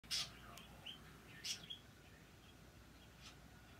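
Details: A friendly little pet parakeet gives a few harsh, scratchy chirps and short high whistled notes at irregular intervals, over a faint steady hiss.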